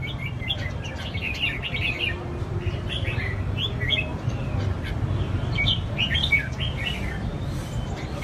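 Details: Red-whiskered bulbuls in cages, songbirds groomed for competition, pour out dense runs of bright twittering phrases, some squawky, repeated in bursts over a steady low background drone.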